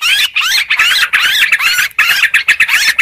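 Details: Sooty-headed bulbul lure recording of noisy, busy calling: dense bubbly warbled phrases sweeping up and down, overlapping almost without pause, with only brief silent gaps.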